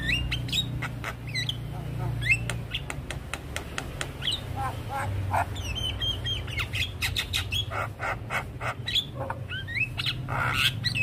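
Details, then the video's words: Javan myna reacting with stress to the call of another of its kind, delivering a full fill-in sequence: rapid sharp clicks and snapping notes interspersed with short rising whistles and squeaks, nearly continuous over a low droning background. "Jalak Kebo Macet Bunyi / Jalbo Stres Seketika respon dengar panggilan Jalak Kebo full Isian"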